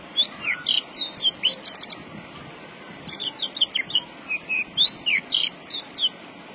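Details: Lively song of a Javan bush lark: fast runs of sharp, high, slurred chirps and short whistles, a brief pause near the middle, then more varied twittering phrases, with soft background hiss.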